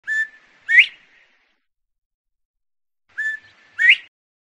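A Northern bobwhite whistles its clear two-note 'bob-WHITE', a short level note then a sharply rising one, given twice about three seconds apart.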